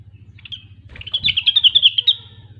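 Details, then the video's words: Gacor singing of a rengganis or cucak wilis, the grey-cheeked bulbul: a short whistled note, then a quick run of bright, bubbling chirps of even pitch lasting about a second, low hum underneath. "Rengganis/Cucak Wilis Gacor"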